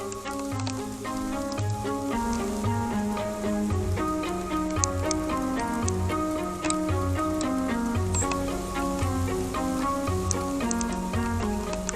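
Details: Steady instrumental music with plucked and bowed strings and a soft pattering like rain; no animal calls stand out.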